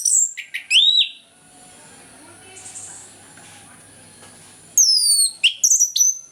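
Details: Orange-headed thrush in morning song, meant to encourage silent birds to sing: sharp high whistled phrases open, a hushed pause follows, then loud falling whistles and clipped notes return.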